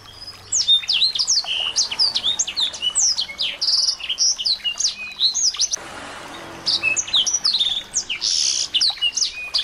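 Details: Small bird chorus played to get a white-rumped shama singing, steady stream of sharp chirps and downward whistled notes from many birds, with a brief hissy cut midway and buzzy bursts later.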